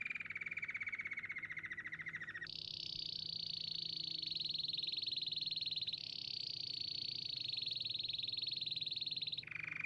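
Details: Canary song built from sustained rapid trills: a mid-pitched rolling tour, then a sudden jump to a higher, brighter trill held for about seven seconds, ending with a drop back down.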